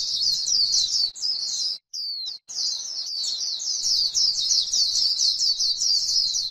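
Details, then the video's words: White-eye on grassland giving the 'líu' style of chatter: a loud, rapid, high stream of twittering notes with a short pause near the second second, then resuming just as fast. "KÍCH KHUYÊN LÍU CHUẨN chim khuyên trên đồng cỏ white eye bird"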